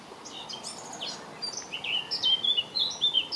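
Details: Eurasian blackcap singing in May 2018: a fast, varied warble of high, scratchy twitters that builds into louder, clear flute-like whistled phrases, over quiet background hiss.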